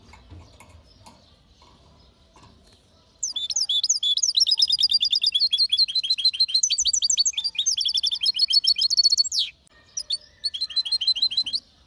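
A goldfinch and canary hybrid sings a fast, bright run of twittering, tinkling notes.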